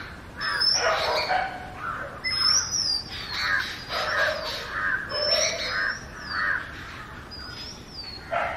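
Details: Natural song of an Oriental magpie-robin: sweet, high whistles that rise then fall, alternating with rougher scratchy notes, delivered in short, varied phrases with brief pauses.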